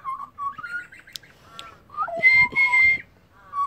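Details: A wild Australian pied butcherbird sings rich, flute-like whistled phrases, rising and falling, with two longer, fuller notes near the end.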